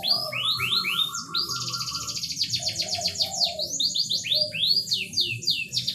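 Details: Canary singing as a breeding stimulus for a reluctant bird: rising-falling whistles, a fast rolling trill, then many repeated swooping notes, with a soft lower warble and faint hum.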